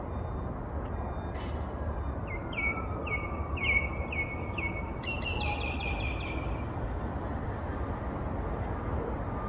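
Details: Common myna (Acridotheres tristis), call.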